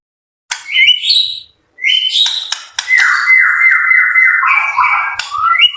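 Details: White-rumped shama kept at a bird farm, in full active song: short high whistled phrases, then a long run of rapid descending trilled notes, with brief sharp chips and buzzy accents, separated by short pauses.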